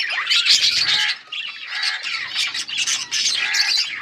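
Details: Lively yellow budgerigar chatter from August 20, 2024: loud buzzy warbling and squawks from several birds in dense, overlapping bursts, barely pausing.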